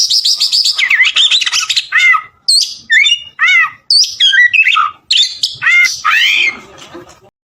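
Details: Oriental magpie-robin (kacer) singing vigorously, a gacor song suited as isian tutor material, from Palembang: rapid varied phrases of buzzy rasps, clear whistled notes and rising-falling slurs delivered in quick bursts with brief pauses, no other sounds.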